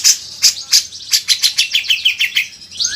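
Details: Grey-cheeked bulbul (cucak jenggot) in a training master recording. Three sharp, high piercing chips are followed by a quick run of descending buzzy notes, ending in a faint rising whistle.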